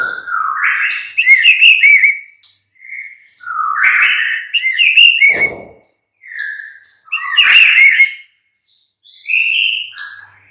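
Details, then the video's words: Mid-morning white-rumped shama song used as a lure to make other birds reply and sing. Loud whistled phrases come in bursts with brief silences between them, swooping notes mixed with sharp high chips and a few clicks. "Pancingan murai batu PAGI DHUHA Agar NYAUT GACOR dan Ngeplong"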